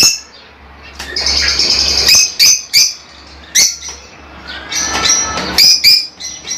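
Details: Lovebirds, small social parrots from Africa, kept as pets: sharp shrill squawks and chirps in irregular bursts, with softer chattering passages and a faint low rumble behind.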